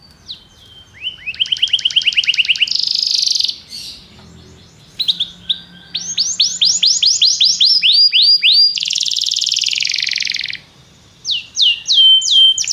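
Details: A Belgian canary sings several tours: fast rattling trills of rising and falling notes and a harsh, buzzy, sustained section, separated by short silences. A faint low hum runs in the background.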